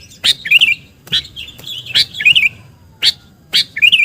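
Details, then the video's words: Bird-luring sooty-headed bulbul call with sharp high chirps, each running into a short wavering, bubbling phrase, repeated roughly every second. "SUARA PIKAT BURUNG KUTILANG GACOR"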